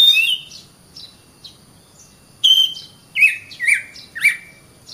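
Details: Oriental magpie-robin recording meant for teaching other birds: scattered short whistles, then several loud downward-slurred notes spaced about half a second apart.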